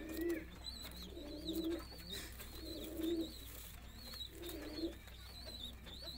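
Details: Roller pigeons produce deep, rolling coo phrases roughly every one and a half seconds, each swelling and fading, with continual high twittering from small birds behind them.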